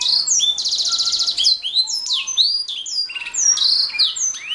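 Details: Canary in full song, opening with a fast buzzy trill, then a mix of high slurred whistles, short rolls and sharp chips delivered without a break.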